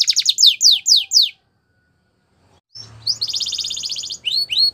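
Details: Belgian canary singing for young canary training: five loud downward-sweeping whistles, a pause of silence, then a faint rolling trill and two rising chirps over low background hum.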